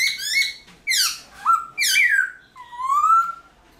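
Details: Captive Black-throated Laughingthrush in early-morning song training, a bird with varied, clear, shifting voices: four loud whistled phrases, each sliding downward or rising and falling, spaced under a second apart in a quiet room.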